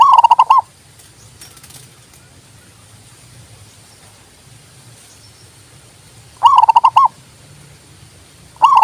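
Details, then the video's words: Zebra dove sings quick, pulsing coo phrases, one at the start, another after a long quiet gap, and a third beginning at the very end over steady low background noise. "TERAPI PERKUTUT MOGOK BUNYI PALING TOP"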